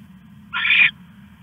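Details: Owl at 1:41 AM on 21 August 2015, stashing a rat at night: a single rasping, hissing screech lasting about 0.4 seconds, harsh and noisy, over a faint low hum.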